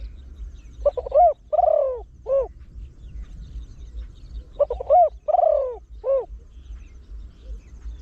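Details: Trained Spotted Dove with a deep voice, its 'khan yon one kuk' rapid-crowing style used to draw in wild doves: two cooing phrases about four seconds apart, each a quick stutter then a long hoarse coo and a short closing note.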